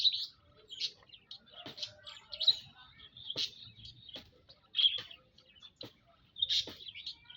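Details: Munias in a shared aviary, 19 April 2025, calling in short clusters of very high, thin chirps and squeaks, with quieter soft notes and occasional taps between bursts.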